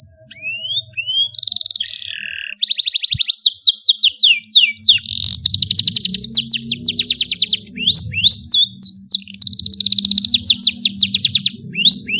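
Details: Long, melodious song of a lively canary, a master for young birds: rising whistles, a sustained buzzy roll, then long runs of rapid repeated trilled notes over a steady low hum.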